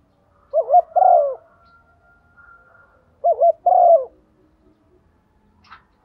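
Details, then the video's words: Morning calling of a female decoy spotted dove luring males: two identical coo phrases about three seconds apart, each a rapid doubled note then a drawn-out descending coo, with silence between. "tieng chim cu mai kích trống buổi sáng, chim cu mái mồi gáy gọi/ tiếng cu gáy"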